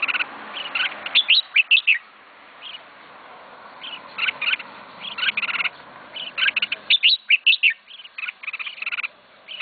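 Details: Short warbled, bubbling phrases from a pet red-whiskered bulbul, several clustered notes in quick runs over a steady background hiss.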